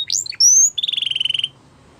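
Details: Canary song fragment: quick chirps, a pure high whistled note, then a short evenly pulsed buzzy trill.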